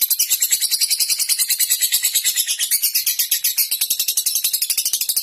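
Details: Ngekek long chatter from a lovebird, used to call opponents and set them chattering too: a continuous high, harsh rattle of fast, evenly spaced pulses, loud from start to finish.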